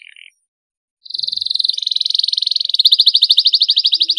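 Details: Canary song used to stimulate silent canaries to sing: a fast, steady trill of rapid repeated high notes, speeding into a sharper, more clearly pulsed trill after a brief opening chirp and a pause.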